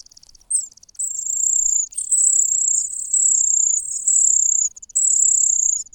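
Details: Hungry cuckoo chick in a nest whose own chicks are already full, crying loudly: long, shrill, high whistled-hiss calls, each lasting about a second, repeated with short gaps.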